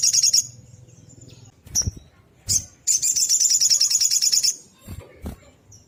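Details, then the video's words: Sogok ontong or brown-throated sunbird pouring out 'tembakan' song: a short high trill, sharp thin notes, then a long rapid pulsing trill of about one and a half seconds, ending with dull knocks. "Tembakan SOGOK ONTONG GACOR"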